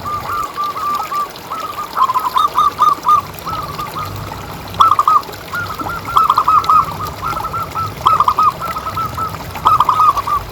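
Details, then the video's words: Zebra dove, local type with a big voice, played to prompt other doves to keep calling: continuous runs of hollow, stuttering cooing phrases, growing louder, with steady low background noise. "Suara Paling Ampuh Untuk Pancingan Burung Perkutut Agar Bunyi Terus"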